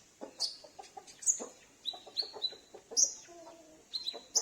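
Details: Home-kept sunbird answering calls, used to lure wild or escaped sunbirds; high bright chips and short level whistles in irregular bursts, with soft lower clicks between.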